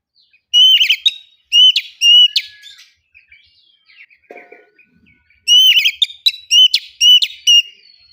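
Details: Oriental magpie-robin in loud ngeplong lure singing; clusters of ringing whistled notes with rattling trills at the start and end, separated by soft warbling and a brief lower note.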